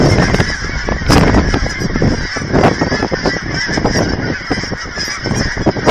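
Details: In Hereford, Texas, thousands of geese gathered at an aquatic center for food produce a loud, unbroken clamor of honks, with sharper individual calls cutting through now and then.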